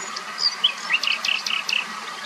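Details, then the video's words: A Common Nightingale sings a brief phrase of a few high, clear notes, then a fast run of short, sweet chirps repeated several times a second, over faint background hiss. "BÜLBÜL SESİ / COMMON NİGHTİNGALE VOİCE"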